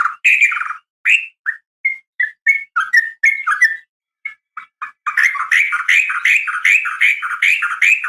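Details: Female Sooty-headed Bulbul calling to the male in a fighting call: separate short bubbly whistled notes at first, then a fast continuous run of warbling, rolling phrases.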